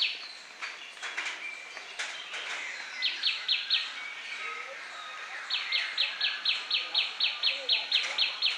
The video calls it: Call of Tailor bird